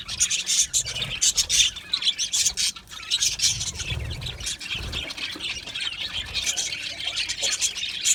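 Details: Aviary colony of Australian budgerigars chirping together: busy, high, gritty chatter with sharp squeaks popping out about once a second, steady throughout, plus faint low thumps.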